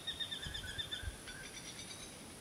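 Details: In Acacia Hills, Northern Territory, Australia, a whistling kite guards its meal, giving a rapid series of sharp, thin whistled notes that fade out, with soft low thumps and background hiss.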